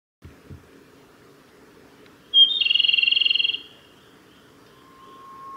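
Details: Male grey bunting at Yanagisawa Pass, recorded 5 May 2017: a brief buzzy, rapidly pulsed trill lasting about a second, followed later by a thin steady whistle, with low rustling noise before it.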